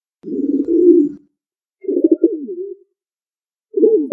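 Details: Low, mellow cooing from a pigeon: one smooth rolling coo, then a pulsed, wavering coo with a trailing end, and the start of a third. Each lasts about a second, against a clean, quiet background.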